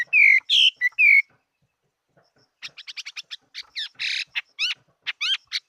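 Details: Chinese hwamei, a fighting bird, 2018: a few loud descending whistled notes, a short silence, then a quieter jumble of rapid chips, buzzy notes and rising swept whistles.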